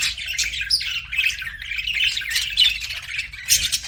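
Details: Constant high-pitched budgie warbling, a mix of trilled chirps, squeaks and harsh little squawks running without a break.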